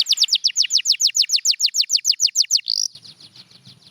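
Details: Canary song from a champion bird: an even series of about sixteen quick falling whistled notes, ending in a short buzzy note, then low background noise.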